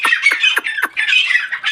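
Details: Captive Black francolins in Pakistan, one a 2-year-old said to call all day, give harsh, grating squawks: four quick, loud, high downward-sweeping notes, then a rougher, buzzier stretch.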